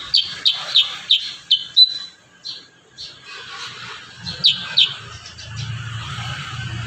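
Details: Kurincang in lively, varied song meant as training audio for other birds: a rapid series of about six sharp high chirps, a brief pause, then two more chirps, with low hum entering near the end.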